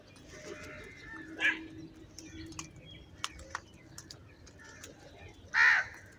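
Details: Crows fighting for food: two loud, harsh, hoarse caws about four seconds apart, with faint chirps and clicks in between over a steady low background hum.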